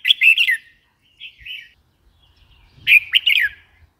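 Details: Red-whiskered bulbul calling: two bright, bubbly warbled phrases of quick slurred notes, separated by a softer brief phrase, with faint low thumps beneath.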